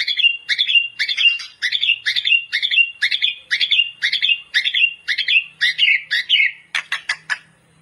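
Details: Master song of a gacor white-rumped shama for training: a long series of repeated warbled phrases about two per second, ending with a few sharp clicking notes.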